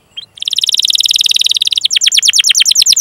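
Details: Canary training song meant to prompt young or silent canaries to sing: a short chirp, then a long even rattling trill of rapid high notes, shifting into quicker downward-sweeping whistled notes.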